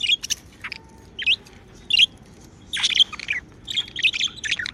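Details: Pet budgerigars chirping happily: scratchy high chirps and warbles in bursts, a lively cluster near the end, little background noise.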